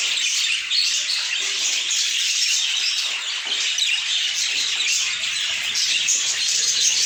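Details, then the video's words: Budgerigar flock giving a steady, busy chorus of overlapping high chirps, squeaky whistles and buzzy twitters, without breaks; nothing else stands out. "A Symphony of Budgies"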